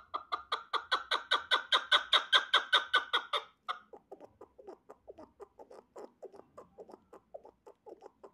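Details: Male chukar partridge calling: a fast series of loud, evenly spaced harsh 'chuk' notes, about two to three per second, for three and a half seconds, then a softer, quieter run of the same clipped notes.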